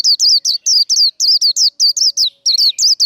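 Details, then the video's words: Continuous fighting song from a Japanese white-eye, used to excite cage birds: a steady, rapid chain of about fourteen bright, high, down-then-up whistled notes with no break. "Vành khuyên líu đấu. Kích lửa vành khuyên líu đấu"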